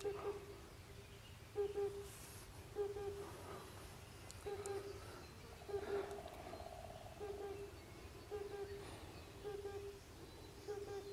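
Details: Oriental cuckoo in Ehime Prefecture, Japan, early summer 2021, where two males and a female were calling. Low, soft, hollow double hoots repeat about every 1.2 seconds over faint background hiss.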